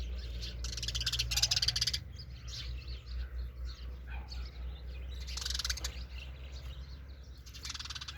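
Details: A sparrow's rapid, grating chatter comes in bursts of fast repeated pulses, loudest early and again midway, over a constant low hum.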